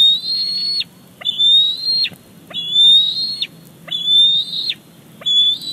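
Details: July 2019 recording of a young bald eagle at Big Bear Lake squeeing for a delivered fish: five high whistled notes, each swept up at the start and dropping off steeply, evenly spaced with brief gaps.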